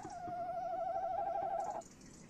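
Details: Male tawny owl trilling inside a nest box at 21:45 on 30 May 2015, female nearby: one long, even, wavering tremolo held at a mid pitch for about a second and a half, then breaking off into quiet.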